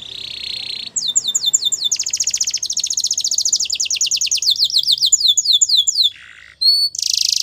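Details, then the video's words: Canary song used for training young birds: a loud, high, rapid stream of repeated trills and rolling tours, each phrase a fast run of identical notes, switching to buzzy bursts and sharp whistled notes near the end. "Canary's Most Powerful Song For Training"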